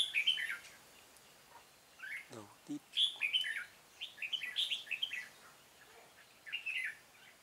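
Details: During a 13 March 2017 trapping outing, a decoy red-whiskered bulbul gives repeated bursts of lively warbled chirps, with a brief human voice in the middle and quiet gaps between phrases.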